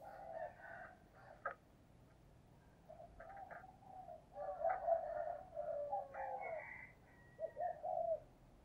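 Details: Spotted dove decoy cooing 'thúc gù' to lure wild birds. Low, muffled coo phrases rise out of background hiss, with brief sharper calls from other birds mixed in.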